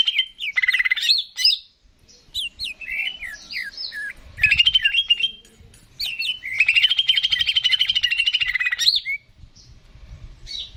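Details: Greater green leafbird song for stimulating birds: quick sequences of sharp up- and down-slurred whistles, then an extended rattling, buzzy trill lasting over two seconds before a final whistle.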